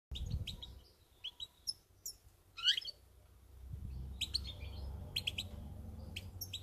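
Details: Pied European goldfinch recorded 11 December 2018: bright, high twittering notes and quick tinkling chirps in short bursts, one rising liquid call, over a steady low rumbling background.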